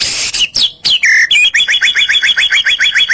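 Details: White-rumped shama masteran song used to provoke other birds: varied whistles and sweeping notes, then a fast run of repeated sharp chirps, several per second, loud and high-pitched.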